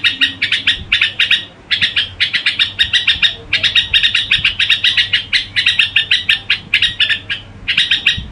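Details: Gù song from a red-whiskered bulbul, long rapid sequences of chattery, slightly buzzy chirps in grouped bursts, with short gaps near two and eight seconds.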